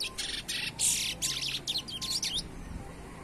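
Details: A young chestnut-bellied seed finch, still singing amid surrounding noise, gives a fast string of high, sweet whistled and warbled notes, some sliding, over low background noise.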